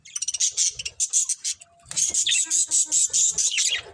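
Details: Dense, continuous buzzy chattering from a happy budgerigar colony: rapid pulsed high chirps run almost without pause, briefly dipping quiet before resuming as a steady rattling warble.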